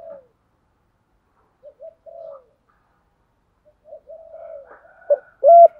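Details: Lure spotted dove calling to provoke wild doves; mostly quiet, with scattered soft murmured coos before loud ringing notes break out at the end.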